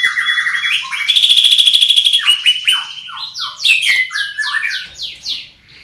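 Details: Greater green leafbird, described as big-bodied with a loud, carrying voice, pours out downslurred whistles, a fast rattling trill near the start, then a string of varied swooping phrases.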